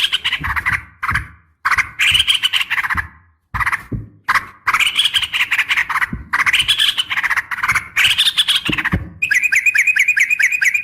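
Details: Sharp fighting call of a female yellow-vented bulbul calling a male: harsh, squawking bursts in rapid runs, ending in a fast series of bright chattering notes.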